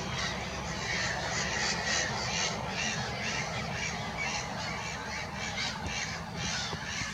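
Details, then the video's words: Black-headed gulls at Monikie giving harsh, rasping calls that overlap in quick succession, roughly two a second, over a steady rushing background noise. "Black headed gulls"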